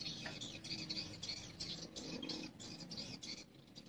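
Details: Swiftlets inside a swiftlet house during the day give rapid, overlapping high chirps in short bursts, with background hum.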